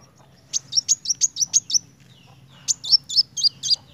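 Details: Rapid narung phrases from a kolibri wulung sunbird: about seven high, slightly buzzy chirps in quick succession, a brief pause, then five louder, lower-dropping notes.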